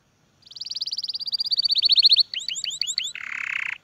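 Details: Canary song intended for tutoring young birds and exciting males and females to breed: a long rapid trill swelling in loudness, a short series of curling whistled notes, then a rough buzzy burst.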